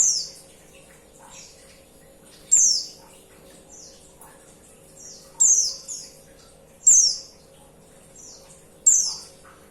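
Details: High, thin, downslurred calls of a female white-eye summoning the male, five loud notes often trailed by a softer lower-pitched echo note, repeated every one to three seconds against a quiet background.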